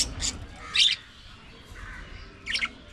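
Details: Budgerigar giving a few separate short, harsh chirps, spaced well apart with quiet gaps between them, one sharp squawk near the start and another near the end.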